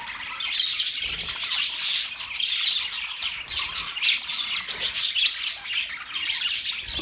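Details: Budgies twittering in a lively flock, bright rapid chirps and warbled phrases overlapping, with several short pure whistled notes standing out above the chatter.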